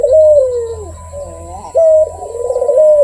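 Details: Barbary dove (puter) in full voice, giving a drawn-out purring coo that dips and rises, then a sharp clear note followed by another slurred, rolling coo that sinks at the end.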